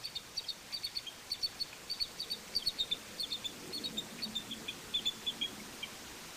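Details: Eagles in Maine, recorded while mating on a Friday morning at 06:23: a faint, rapid series of thin high pips, about twenty-five short notes spread over six seconds in small clusters, against a steady background hiss.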